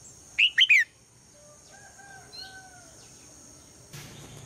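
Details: A female red-whiskered bulbul gives a single loud three-note chirping phrase in the morning to get the male singing, followed by soft long whistled notes from another bird and a brief rustling knock.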